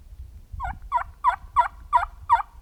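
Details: Fall wild turkeys calling in the field near a known roost, with multiple flocks present. Six raspy, even notes come about every third of a second at a steady pitch over a low rumbling background.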